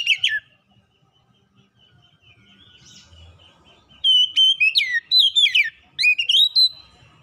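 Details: Kacer (Oriental magpie-robin) singing a lure song meant to stir a reluctant bird into singing: an opening whistle, a quiet stretch, then sharp clicks and sweeping downward whistles repeated in a lively series.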